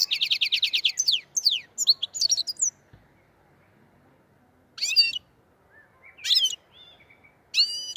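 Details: Black-headed goldfinch from the Andijan, Kuva and Fergana area: a rapid run of evenly repeated high twittering notes and trills for about three seconds, then separate scratchy chirp bursts after a quiet gap.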